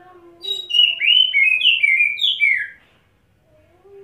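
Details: Oriental magpie-robin, known locally as kacer, in wet-setting ngobra display: a lively run of looping, descending whistles lasting about two seconds, with a faint low tone underneath and a quiet close.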